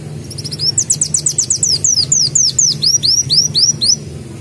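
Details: Sunbird, known locally as kolibri daun, in nonstop mbeset song imitating a canary: a quick trill of sharp, high chips, then slower, clearly spaced, downward-sweeping whistles repeated at an uneven pace, over faint low background hum.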